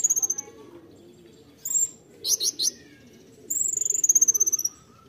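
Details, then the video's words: Konin 'tembakan' song: short high notes, then three loud buzzy chips, then a very high, fast pulsed trill sliding slowly lower. A soft, lower whistle is heard in the background. "KONIN TEMBAKAN APA INI"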